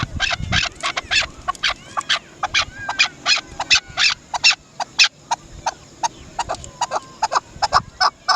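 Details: Dasi chakor, or Chukar partridge, uttering sharp clucks and harsher chak notes in uneven bursts, a brief low thump near the start.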